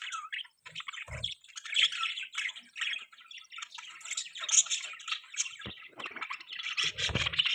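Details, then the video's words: Pet budgies keep up a busy stream of scratchy chirps, warbles and short squawks, overlapping and irregular, with brief low thumps near the start and the end. "Most beautiful budgie bird chirping sounds|Budgies Chirping Sounds"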